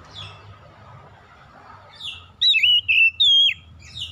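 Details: Oriental magpie-robin singing in the morning: a short burst of loud, clear whistled phrases that slide up and down, with sweeping high notes, after a quiet start with faint low background hum.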